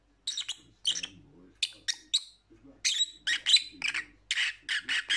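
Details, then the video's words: Lovebird calls to keep lonely parrots company: clusters of two or three shrill, harsh chirps, irregularly spaced, growing busier and louder in the second half. "Lovebird Sounds"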